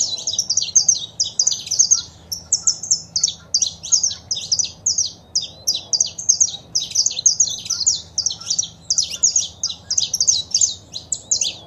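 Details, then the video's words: Male saffron finch singing with female calls, used to spur a pet bird to sing: a long, lively stream of high clipped chirps repeated rapidly and evenly for over eleven seconds. "Foguea seu Canário da Terra com Esse Piado de Fêmea e o Macho Cantando"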